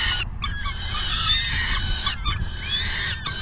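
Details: Nest of peregrine falcons on the afternoon of June 10, 2022, as the female feeds; high, scratchy wailing calls with slight upward bends, broken by a few brief pauses, above a faint low hum.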